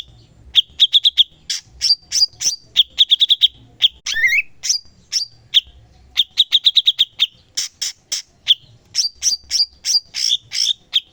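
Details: Cucak cungkok singing actively as a master song for tutoring songbirds: bursts of quick staccato notes alternate with high slurred chirps, with one twisting whistled phrase near the middle, in a clean recording.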